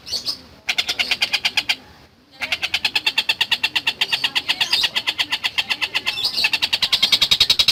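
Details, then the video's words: Long-tailed shrike, locally called tengkek buto, in full song: a fast, harsh, rattling stream of scratchy notes, about three per second, briefly interrupted then resuming steadily. "Burung Masteran Tengkek Buto Gacor"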